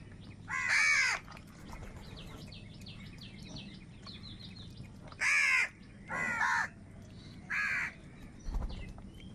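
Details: Crows fighting for food: one harsh caw, a pause filled with light twittering from smaller birds, then four more hoarse caws in quick succession.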